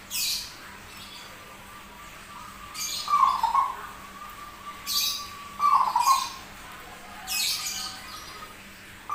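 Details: Rare zebra dove with a strange voice that sings constantly, giving rolling coo phrases roughly every three seconds, partly overlaid by repeated bursts of hissing noise.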